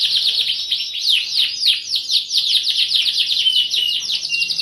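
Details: Lively canary song in the 'cuit cuit nembak' style, meant to provoke other canaries into singing; a fast, unbroken stream of swooping, high chirps and trills, closing with a couple of drawn-out level whistles.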